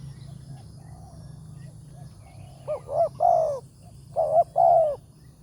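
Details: Spotted dove with a big voice, heard in the morning at a trapping site using a decoy. After a quiet start, two phrases of mellow coos follow, each a stuttered double note then a long falling coo, over a low hum.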